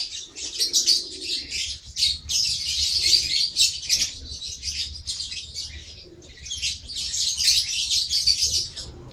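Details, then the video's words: Lovebird chattering in scratchy high bursts repeated rapidly, with a quieter lull midway before the calls resume. "Love Bird"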